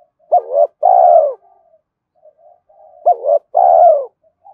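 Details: Spotted dove gáy gọi cooing used to provoke a rival: a wavering double coo and a long falling coo, repeated about every three seconds, with soft low coos between the phrases.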